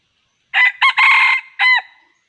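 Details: Wild red junglefowl in a trapping context, crowing loudly: a short clipped opening note, a brief second note, a long sustained harsh middle section, then a falling final note, all within about one and a half seconds, with no other sounds.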